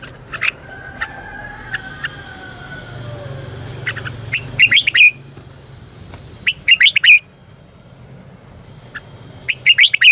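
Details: Red-whiskered bulbul lure song for training birds: quiet scattered notes and low hum, then three quick bursts of four or five rapid bright chirps about two seconds apart.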